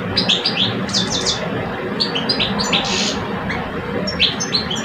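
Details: Two male European goldfinches, an old bird and a two-year-old, face off in song, trading rapid liquid twitters and tinkling chirps in quick succession over a steady low hum.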